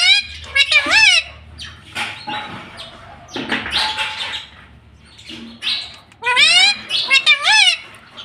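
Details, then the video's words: Talking ring-necked parrot at home repeating high nasal word-like calls; a wavering phrase at the start, rough noisy bursts in the middle, then two quick bending phrases near the end, over a faint low hum. "Mummy papa bolunga 👑 BOLNE WALA TOTA 😁 Talking parrot"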